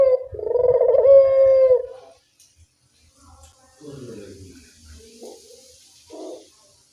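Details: One long, pulsing puter dove coo from an eagerly calling bird, used to coax quiet doves, followed by a pause and faint scattered background sounds.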